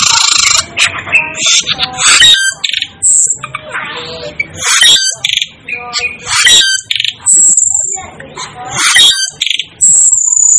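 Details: Asian glossy starling, known as a 'devil' bird, in a dense run of harsh buzzy squeaks and piercing high whistles, overlapping and nearly continuous, with brief gaps between bursts.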